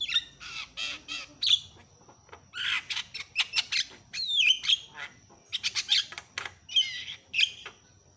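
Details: Javan myna calling loudly and actively to provoke other mynas into calling; rasping broadband screeches alternate with sharp whistled slurs and chattering clicks in quick succession.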